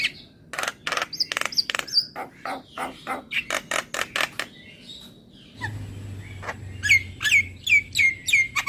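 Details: ['Asian pied starling song of rapid harsh chattering notes and short high whistles; a steady low hum runs underneath in the second half, with repeated rising whistled notes near the end.']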